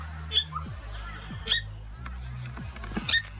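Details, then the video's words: Purple Swamphen family in Australia, 10 March 2021, alarming their teen chicks about a nearby Red-bellied Black Snake: three sharp, high, short squawks spaced about a second apart over steady background music. "Watch the snake getting worked out by the family of a Purple Swamphens alarming its teen chicks about the predator."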